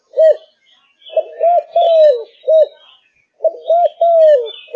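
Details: Fired-up Malaysian spotted dove, caged, delivering repeated low cooing phrases: a single coo, then a rolled double note and a drawn-out descending croo, about every two and a half seconds, soft chirps in the background.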